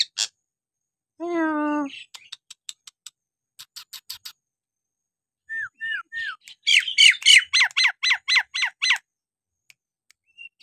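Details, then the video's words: Nias hill myna song meant to stir reluctant birds into singing: a low, nasal, harmonic squawk, ticking clicks, three short upslurred whistles, then a fast run of loud, harsh downward-sweeping notes. "jalak nias gacor!! buat terapi jalak nias bahan atau yg malas bunyi agar gacor kembali"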